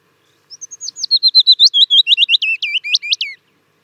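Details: Willow Warbler song: one sweet, slightly descending warble of about fifteen quick, slurred notes over three seconds. Each note is a short downward whistle, and the phrase brightens in the middle before fading away. No other clear sounds.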